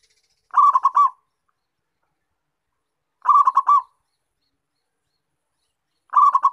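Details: Local zebra dove calling vigorously, the recording used as a lure to attract and trap wild zebra doves: short rolling coos of about four quick staccato notes, repeated roughly every two and a half seconds over silence.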